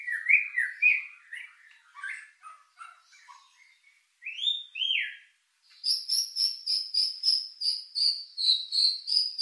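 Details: White-rumped shama lure song intended to stir emotion and breeding drive, made of varied whistled slurs and short notes, one rising then falling whistle, then a fast run of high clipped notes repeated several times a second.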